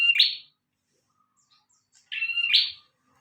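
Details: Bar-winged prinia singing energetically, recorded as training material for other cage birds: two loud, high, buzzy phrases, each a flat trill ending in a sharp rising burst, separated by almost two seconds of silence.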